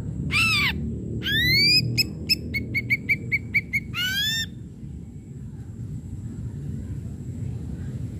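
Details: Ashy Drongo singing in a lively lure recording meant to stimulate silent or stalled drongos to sing: steep rising whistled upsweeps with layered overtones, then a quick string of about eight short clipped notes and another upsweep, over a low rumbling background.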